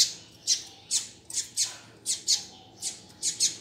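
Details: Double-collared seedeater call used to fire up and train another male: sharp, high chip notes repeated steadily, roughly every half second, over a faint background hum.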